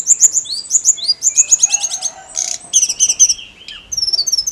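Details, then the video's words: Snowy-browed flycatcher in persistent song, used to stimulate other songbirds: thin, very high whistled notes in quick repeated runs, rapid trills and a brief buzzy burst, with short pauses between phrases. "KICAU TLEDEKAN GUNUNG GACOR MERANGSANG EMOSI SRDC DAN KACER"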